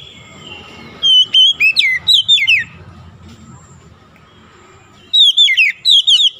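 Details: Oriental magpie-robin song used as a lure to bring a stressed, silent bird back into song: two bursts of loud, clear whistled notes, many sliding steeply downward, delivered in quick rhythmic runs with a quiet pause between them.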